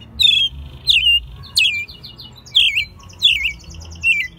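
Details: Captive hand-reared American robin in Mexico City, recorded in March 2020 singing loudly. Five bright descending whistled phrases with scratchy high overtones, roughly one every 0.7 seconds, over a quiet low hum.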